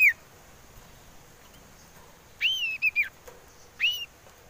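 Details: Common iora whistles used as a lure to make birds sing: three clear, arched whistled notes, the middle ones broken into a short rising-falling phrase, separated by quiet pauses over low background hiss.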